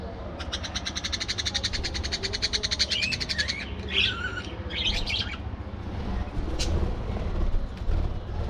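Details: Aviary budgerigars chatter with a fast rattling buzz of evenly spaced clicks for about three seconds, followed by looping warbled notes and faint chirps over a low rumble.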